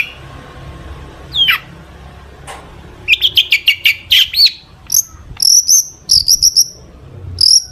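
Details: Long-tailed shrike in energetic song stuffed with mimicked phrases, meant to set other shrikes singing: a few isolated sweeping notes, then a rapid chattering burst and a string of high, thin whistled pips.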